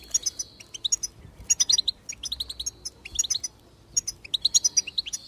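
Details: Goldfinch singing to encourage other birds to sing, a quick series of liquid twittering chirps and tinkling notes in bursts, lively and high-pitched.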